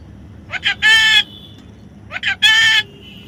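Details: Baby parrot repeating a harsh pattern twice: short crackly notes rising into a strong, grating squawk, with faint low hum behind.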